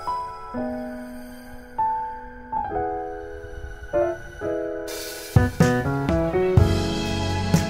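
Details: Soft piano music with sustained electric keyboard notes, growing fuller and louder toward the end; no animal voices.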